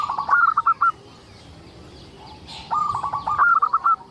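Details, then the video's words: Local zebra dove in full song, used as a lure to prompt other zebra doves to sing: two bursts of clear, rapid stuttering coos, a tumbling trill of notes rising then held, separated by a quiet pause. "Suara indah perkutut lokal gacor untuk pancingan"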